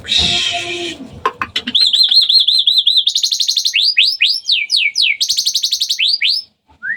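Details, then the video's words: Hybrid Asian pied starling at night, singing busily: a hiss, then clicks leading into rapid high chirps in tight repeated series and sharp upward-sweeping notes, several per second, ending abruptly. "Di malam hari,, Jalak suren haybrid gacor banget."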